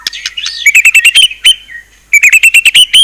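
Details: White-rumped shama giving quick series of sharp, chirpy repeated notes with a brief slurred whistle and a pause between bursts.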